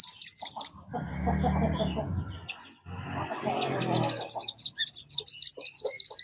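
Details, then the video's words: Sogon kept in a cage sings fast high twittering trills to set other birds singing; the trills open and close the recording, with loud rustling and handling noise in between. "PANCINGAN SOGON. BIAR SOGON MU IKUT CEPAT RAJIN BUNYI"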